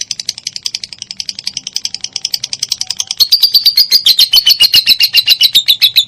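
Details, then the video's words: Minor lovebird singing, recorded to make other lovebirds sing: softer fast chirping at first, then louder, clearer high chirps at about four per second in the second half. "MASTERAN SANGAT AMPUH BURUNG LOVEBIRD MINOR"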